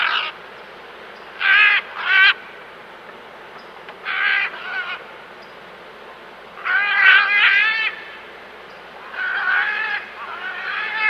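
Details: Endangered great green macaws feeding in the wild give loud, harsh, grating squawks in short bursts, some single and some in rough runs of several, spaced irregularly over a soft background hiss.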